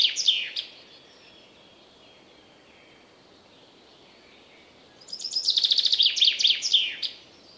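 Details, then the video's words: Forest chaffinch: the tail of one song, a long quiet gap, then a full phrase of rapid high notes that descends into a final twirled ending. "Chaffinch Singing In The Forest"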